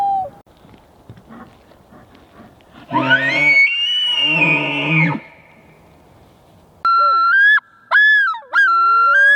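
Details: Common loon wailing up north: pure, ringing tones that rise and hold, broken into three short bursts. An earlier loud, arching, squealing call comes with low grunting undertones.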